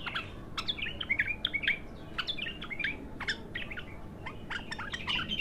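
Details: Bulbul with a raw, untrained first song delivers varied short whistled notes, some rising and hooked, interspersed with dry clicks in a quick, irregular run.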